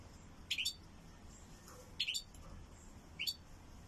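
European goldfinch giving three short, bright, high twittering bursts about a second apart over a soft steady hiss.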